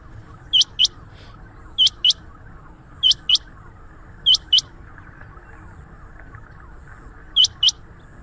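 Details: Rain quail call used to attract quail for trapping: crisp high double notes, each pair sharp and clipped, repeated about every second, over a steady low background hiss.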